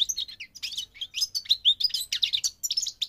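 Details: Migrating goldfinch singing a rapid, continuous twitter of high, tinkling chirps and short buzzy trills, with notes tumbling up and down and no other sounds.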